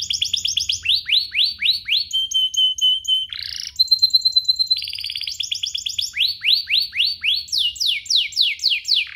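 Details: Canary bait song for getting other canaries to sing: repeated rising whistled swoops, a level held whistle, a harsh burst, fast high trills, then more swoops in steady rhythm.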